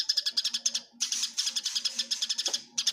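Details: Eurasian tree sparrows in a fight, cleanly recorded. Dense, scratchy chirping runs almost without pause, breaking off briefly near one second and again before the end, then resuming.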